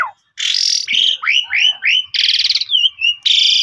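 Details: Pied myna (jalak suren) lure song: a harsh buzzy burst, then a series of rising slurred whistles, a trilled rattle and another rasping buzz, loud and clear.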